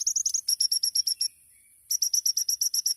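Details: Kolibri ninja, the olive-backed sunbird, singing tembakan style. Evenly spaced, very high chips come about eight per second, stop for half a second, then return at the same quick pace.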